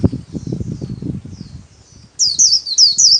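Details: Kept white-eye singing solo in the líu style during daily training: soft rustling and faint high notes first, then about one second of loud, high, fast-looping chattering whistles.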